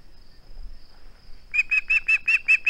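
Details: Male osprey at its nest with a flounder, filmed on 21 August 2020, breaks a short silence with seven quick, loud, whistled chirps evenly spaced; a faint steady high whine runs through.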